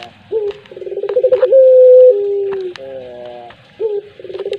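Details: Single pelung coo of a collared dove: a rising opening note, a rolling pulsed trill, a long level hoot dropping to a lower tone, then a nasal harmonic phrase. Sharp ticking clicks accompany it.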